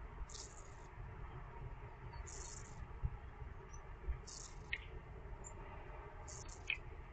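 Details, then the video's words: A hungry young European robin gives high, hissing begging calls, short buzzy bursts repeated about every two seconds, over a low steady rumble. "Piccolo pettirosso affamato"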